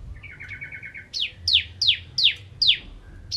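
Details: Eagerly singing crystal-type bar-winged prinia, nembak ngentrok style: a short rapid trill of seven soft notes, then six loud, shrill notes falling sharply in pitch, evenly spaced, with low background rumble.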